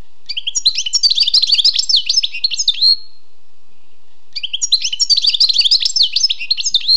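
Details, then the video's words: Wild European goldfinch delivering two long bursts of song separated by a pause, each a dense, fast medley of high tinkling twitters, trills and short whistles. "Écoutez et appréciez le doux chant du chardonneret sauvage"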